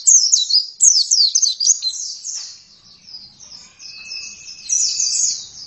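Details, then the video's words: Oriental white-eye (pleci) in full song, a fast high run of thin, twittering chirps with quick downslurred notes, louder at the start and end, plus a faint steady whine partway through. "Pleci langsung gacor dalam 1 menit"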